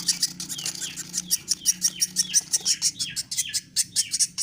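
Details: Woodpecker nestling during hand-feeding with bird feed repeats shrill, rasping begging chirps at a quick even pace, some notes sliding downward, while a faint low hum runs underneath.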